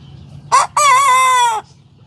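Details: Young Sanjak cockerel just starting to crow: a short harsh opening note, a brief gap, then a longer, loud, steady and slightly wavering crow of about one second that cuts off abruptly, over a faint low background hum.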